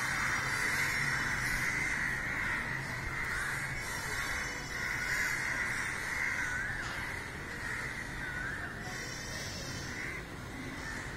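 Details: Crowds of crows calling together around a dead crow, a steady wall of overlapping harsh caws with rough, scratchy notes rising and falling in loudness, many birds crying at once.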